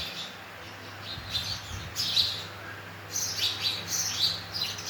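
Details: Sparrows chirping in the morning in summer, bright high notes in loose clusters over steady background hiss.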